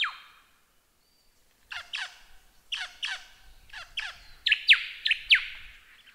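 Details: Lyrebird song for training cage birds: after a brief pause, sharp descending whistled notes come in pairs and short bursts, each falling steeply, getting louder and more ringing near the end.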